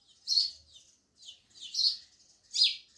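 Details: Loud sparrow chirping, three bright, harsh chirps spaced under a second apart, each with softer twittering trailing after it.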